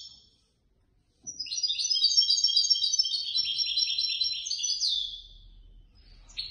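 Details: Competition European goldfinch that took third place at a contest of the Casablanca bird lovers' association. It delivers a long, fast, jingling warble of tinkling and buzzy notes, closing with a sliding phrase and a brief buzz.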